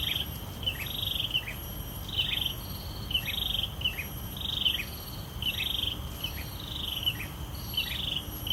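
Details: Wild breeding pair of hill prinias singing: a bright, slurred chirping note repeated about once a second, over a steady high insect buzz and background noise.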